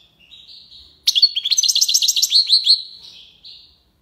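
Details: European goldfinch, Algiers, performing tiwawati song: soft, level whistles lead into a loud run of quick, liquid twittering notes, fading into a lower whistle at the end.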